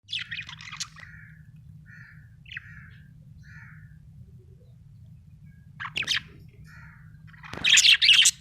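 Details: Budgerigar described as happy, chirping: short bursts of bright, scratchy warbling at the start and end, with soft separate chirps in between, over a low steady hum.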